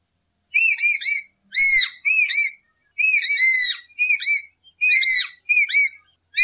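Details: Lory whistling as a lure for birds: short groups of loud, shrill, rising-and-falling notes, some harsher and squawk-like, delivered in broken bursts with small gaps.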